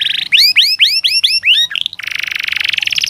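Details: Canary singing a training master song for birds slow to sing. It begins with a brief trill, then six loud arching upswept whistles, then a steady rapid rattling trill.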